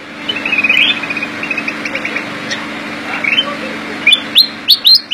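Sooty-headed bulbul singing quick, chirpy high phrases, ending in several loud, sharp whistled notes, over a low steady electrical hum.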